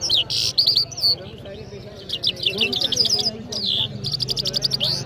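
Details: Mashhadi jal from Iran, singing energetically in Kabul, Afghanistan, mixes a loud buzzy burst and sharp whistles with quick chirped runs, ending in a rapid string of high staccato notes.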